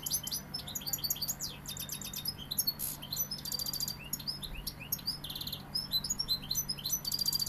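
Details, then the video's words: Sevillian European goldfinch pouring out rapid, continuous twittering song: bright chirps, metallic tinkles and short buzzy rattles follow each other without pause, loud throughout, over a low steady hum. "Jilguero sevillano"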